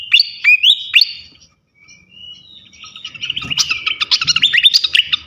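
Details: Flycatcher singing as bait to draw other flycatchers: bright whistled notes with rising flicks, a short pause, then a rapid, dense burst of sharp high chips and twittering.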